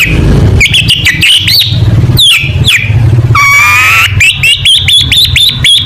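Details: Long-tailed shrike singing a lively 'tembakan' contest song: rapid strings of whistled upslurs and trills, including a long run of repeated slurred notes, over a constant low rumbling hum.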